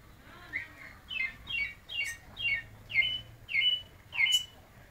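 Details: White-necked thrush singing a little at midday: short, clear whistled phrases, about eight in five seconds, each a quick run of mid-to-high notes, over a faint low hum.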